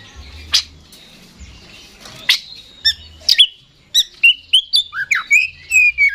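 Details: Oriental magpie-robin (kacer) singing in the 'ngeplay' style. Scattered sharp notes give way to a quicker series of short whistled and rising slurred notes in the final seconds.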